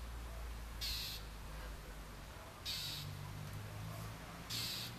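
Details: A Northern mockingbird defending its territory, harassing a juvenile Red-shouldered hawk on the outskirts of Orlando, Florida, 5 May 2019, gives three harsh, hissing scolds about two seconds apart over a steady low rumble.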